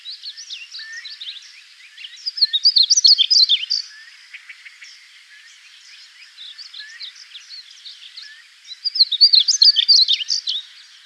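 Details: A male Painted Bunting sings from the top of a fence post: two bright, high, rapid warbled phrases, each about two seconds long, with soft twittering in the gaps between them.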